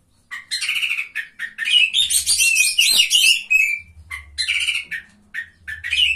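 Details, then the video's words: Oriental magpie-robin at a singing competition, bursts of sweet whistles alternating with dense scratchy chattering and short rising notes, brief pauses between phrases, low background hum. "KACER GACOR JUARA 3"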